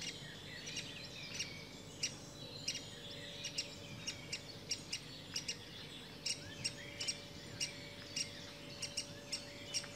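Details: Great spotted woodpecker adult with young; sharp clicky calls repeated irregularly, about twenty a minute, with fainter high chirping between, over a steady background hum.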